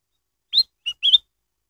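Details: Black-headed bulbul lure song, played to set other kept bulbuls singing: a short phrase of three clear whistled notes, the first rising, a brief lower note, then a warbled double note, with no other sounds.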